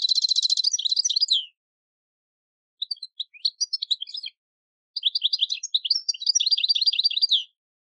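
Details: Goldfinch campero song used to teach novice decoy goldfinches: a bright buzzy trill runs into tinkling, liquid twitters, then two more long bursts of quick high chirping notes with short pauses between.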